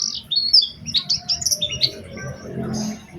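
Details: Oriental white-eye lure song in an energetic, special phrasing style: quick high chirps and short whistled slurs in a rapid, uneven series over a faint low background rumble.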